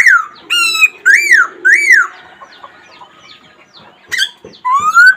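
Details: Black laughingthrush calling: three loud arched whistles, rising then falling, in quick succession, a quieter gap with soft notes, then more upslurred whistles near the end.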